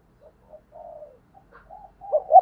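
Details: Vietnamese decoy spotted dove, 2022: a string of quiet, low, slurred coos with short gaps, ending in a louder pair of stuttered notes.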